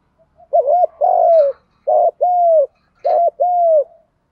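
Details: Decoy spotted dove singing to provoke wild doves into answering. Three phrases of deep cooing, each a quick wavering first note joined to a drawn-out, level second note, repeated about once a second in a quiet setting.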